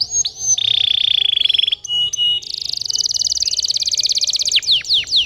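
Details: Canary song for encouraging young canaries: a steady rolling trill, a few abrupt clicks, then a long, very fast high buzzing roll followed by sharp downward sweeps.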